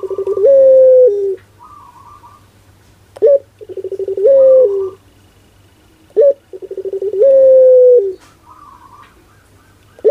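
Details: Pelung turtle dove cooing indoors, three phrases roughly every three seconds, each a rapid stuttering series followed by a long steady low coo, with a brief higher warbling note after each phrase.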